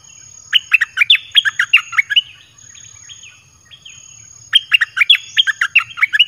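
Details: Red-whiskered bulbul singing in a cage, a song played to attract wild birds; quick runs of sharp warbled chirps, a softer slurred phrase in the middle, then another lively burst of chirps.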